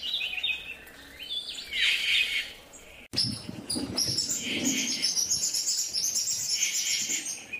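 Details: Yucatan jay (Cyanocorax yucatanicus) giving harsh, noisy calls and falling notes, followed by a busy run of rapid chattering and squeaky notes from what may be several birds, with some lower rustling in between.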